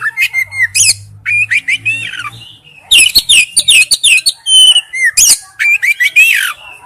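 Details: Male oriental magpie-robin calling to a female: varied whistled phrases and slurred notes, a short quiet spell, then a busy burst of sharp chirps and downslurred whistles.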